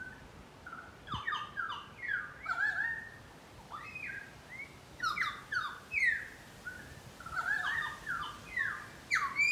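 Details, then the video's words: Several pied currawongs singing and calling in a garden in Brisbane, giving a long series of falling, ringing whistled notes in overlapping clusters, with a brief low thump near the start. "Pied Currawong birds calling"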